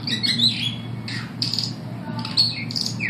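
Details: Superb starlings at the St Louis Zoo, 15 September 2012, sing a rambling run of high chirps, squeaks and short whistles, with harsher notes mixed in, over a steady low background hum.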